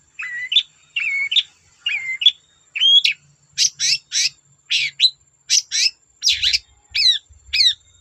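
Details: Long-tailed shrike singing to spur other shrikes to sing: a run of short whistled downslurred notes, then rapid scratchy chatter and sharp rising trills in quick repeated phrases.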